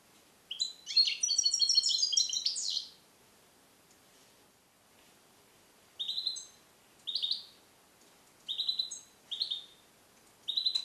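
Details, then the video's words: Captive European goldfinch, born 2021 and trained to sing Neapolitan passages, isolated in a carrier: a dense two-second twittering phrase, then a series of short chirpy bursts repeated roughly every second or so. "Cardellino Passata Napoletana 2021 - KH24 - European Goldfinch - Jilguero cate limpio"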